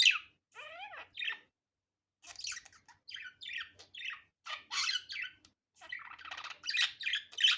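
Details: Budgerigar chattering, opening with wavering whistled notes, then after a short silence a run of scratchy squawks and buzzy chirps.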